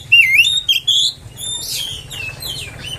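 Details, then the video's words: Oriental magpie-robin provocation song: a few clear looping whistles at the start, then softer scratchy, buzzy notes and faint slurs. "PANCINGAN KACER!! terbukti kacer ANDA AKAN NGAMUK!!!!"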